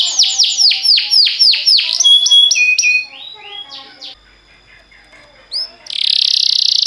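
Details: Canary singing for training other canaries: loud repeated falling whistles about four per second, then thin high notes and softer scattered phrases, ending in a loud continuous buzzing roll.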